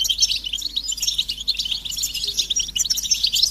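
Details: European goldfinches calling together in a stimulating chorus of mating calls: continuous bright twittering, quick jingling trills and buzzy notes, with many birds overlapping.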